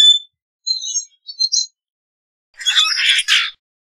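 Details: Common grackle: a few thin, high tonal notes, then a louder rasping, creaky squeal lasting about a second, mostly high-pitched.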